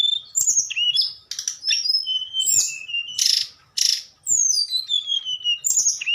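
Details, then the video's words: Flute-like nyuling song from a tledekan: sharp high whistles, rasping bursts and a long smooth descending whistle toward the end. "Burung tledekan nyuling"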